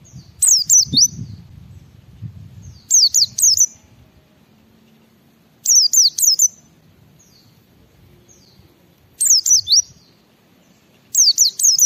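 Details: Ngalas-style song of a white-eye, used to prompt other white-eyes to answer and sing: bursts of three or four high, sliding, downward-swept whistles roughly every three seconds, with a low murmur early on.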